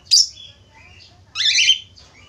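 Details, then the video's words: Budgerigar lure sound for getting other budgerigars to sing: two loud, grating chirps about a second apart, with thin high twitters between and after. "Suara pancingan falk /parkit australia cepat gacor"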